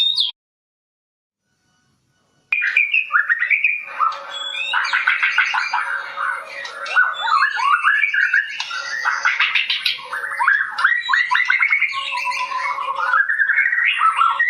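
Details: White-rumped shama, shown apparently dancing, opens with a whistled note, falls silent for two seconds, then launches into a long rich medley of fast whistles, upslurs and chattering trills over a faint constant hum.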